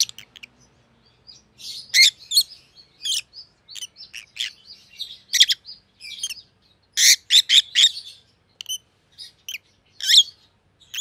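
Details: Opaline rosy-faced lovebirds with white heads, one pallid and one green, chatter continuously: dense sharp chirps and scratchy twitters, with a loud cluster of rapid chirps near the middle.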